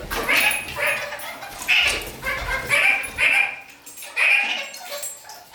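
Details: Indoor kakariki moving upside down across a ceiling, giving a run of about seven quick, scratchy chattering notes in irregular bursts, each roughly half a second apart, with faint room noise beneath.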